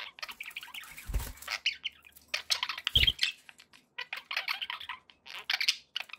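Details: Chattering pet budgies, a steady run of quick chirps and warbles with a single clear whistled note midway and two dull low thumps in the background.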